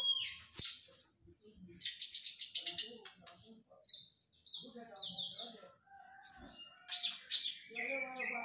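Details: Oriental magpie-robin after its moult, in training: bursts of rapid high chattering notes alternate with short quiet gaps and a few lower, softer whistled notes.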